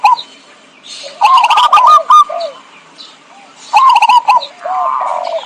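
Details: Zebra dove call played as a trapping lure: two bursts of fast, staccato cooing with crackly rattles, separated by softer scattered low coos.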